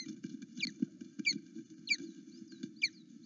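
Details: Excited osprey at its Loch Arkaig nest, filmed by a live cam around eight to nine in the morning as its mate comes back. It gives loud, sharp, falling chirps, about one every half second, against a constant low rumble.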